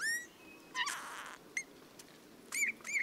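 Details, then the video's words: Eurasian bullfinch (Pyrrhula pyrrhula) song: soft, creaky, squeaky notes with a few thin whistles and a scratchy burst, quiet and halting over a faint hiss, like creaking metal; bullfinches sing mainly in the breeding season. "Как ужасно поёт снегирь"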